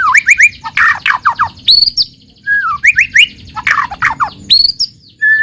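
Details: Lure song of a white-rumped shama, meant to make untrained shamas start singing: fast bursts of upslurred whistles, harsh chattering notes, and a descending slurred whistle, nearly continuous with brief gaps.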